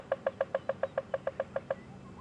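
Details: Woodpecker drumming a quick, even roll of about a dozen hollow knocks in under two seconds, a territorial rap rather than feeding, probably on a gall of a marula tree, heard on a morning safari drive at Djuma and Arathusa, January 22, 2015.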